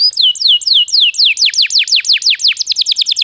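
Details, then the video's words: ['Canary singing as a lure for other birds: a few spaced, downward-sweeping whistles that speed up into a quick series of repeated high slurred notes.'] "suara burung kenari untuk pancingan agar gacor"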